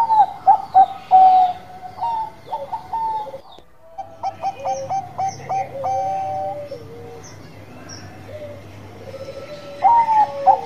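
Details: Bangkok-type zebra doves in full song: bright whistled coos and quick stuttering notes around one pitch, bursts of rapid clipped phrases, a short pause, then fresh repeated ringing coos, several birds overlapping.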